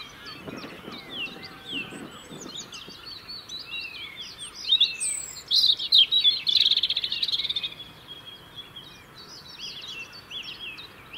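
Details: European robin song from the UK, sung through the year to defend a winter territory: thin, varied whistled phrases and swoops, then a loud, rapid, high trill in the middle, with further soft warbling and other birds faintly behind.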